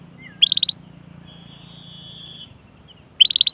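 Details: Canary chirping, used to coax young or silent canaries into song: two short fast trills of high notes about three seconds apart, with a thin steady whistle and low background hum between them.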